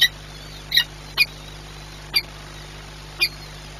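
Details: Harsh, clipped high calls of a peregrine falcon during feeding at Orlen Płock, 21 April 2021, 9:57, five notes spread irregularly across a few seconds above a steady low drone.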